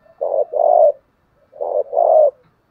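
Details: Spotted dove cooing, used to train newly caught and decoy birds: two deep, hollow phrases, each a short coo followed by a longer rolling coo, separated by about half a second of quiet.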